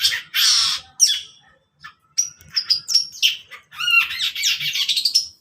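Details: Morning song of a long-tailed shrike, opening with harsh grating bursts, then rapid varied chirps and sweeping whistled notes run together into a dense, chattering phrase.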